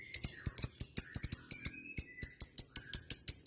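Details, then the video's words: Lovebird ngetik series meant to draw rivals: quick, sharp, high chirps about every quarter second, some clustered in pairs, with faint thin whistles underneath. "suara burung lovebird ngetik ngekek"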